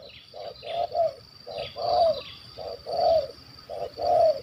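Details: Spotted dove targeted by hunters in Malaysia, a big-voiced stuttering 'gagap' caller of 'kuk 1 2' style, cooing in repeated short-then-long hollow phrases, fairly distant, against rumbling background noise and a constant high whine.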